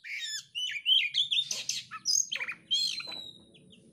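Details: Caged oriental magpie-robin (kacer) in full song while fanning its tail, pouring out rapid whistled notes, rising slurs and scratchy chattering bursts in a dense varied stream, a faint low hum beneath.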